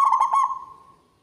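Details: A local zebra dove sings actively with a big, ringing voice: a quick cluster of four throbbing, pulsed coos that merge into one long, steady, fading hum, with no other sounds.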